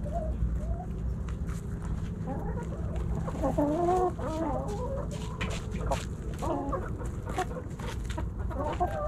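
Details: Backyard chickens, hens and roosters, snacking at Thanksgiving; several birds give overlapping clucks and short wavering calls, busiest around the fourth second, with scattered clicks and a constant low background hum.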